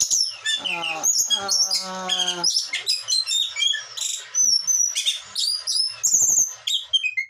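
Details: Caged Blue whistling thrush from Bogor, singing in an agitated, vigorous mood, pours out a dense run of high whistles, quick chirps and downslurred notes, with a person's voice briefly heard early on.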